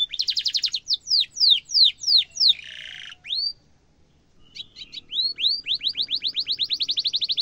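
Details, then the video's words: Canary singing a long sharp roll, a tutor song for young canaries: a rapid run of high down-slurred notes, then a brief buzzy burst, a short pause, and a long, steady, accelerating trill of upswept whistles. "kenari gacor ngerol tajam cuit cuit kenari bisu langsung nyaut efektif untuk masteran kenari muda"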